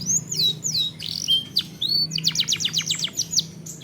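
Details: Canary song used as a lure to trigger singing in other canaries: high whistled downslurred notes, then a fast run of rapid repeated chips forming a rattling trill, over a low steady hum.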